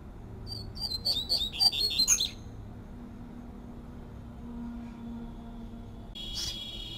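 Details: Double-collared seedeater singing its 'tui tui' fluted song in nature gives a quick burst of high, sweet whistled notes lasting under two seconds. Low background hum and a brief rustling noise follow.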